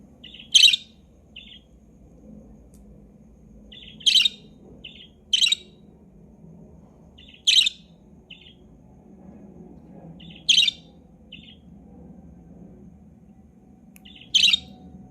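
A budgerigar gives short, sharp chirps at uneven intervals, often with a softer follow-up note.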